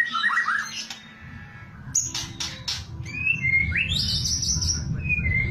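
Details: White-rumped shama in kretekan style prized by contest judges: low rolling warbles, a burst of sharp clicks, then bright whistles climbing to a long, high, wavering note, over continuous low rumbling noise.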